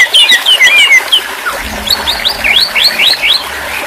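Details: White-rumped shama singing a chain of quick whistled phrases, first lower slurred notes, then sharp upward-sweeping whistles repeated in rapid succession over a light background hiss.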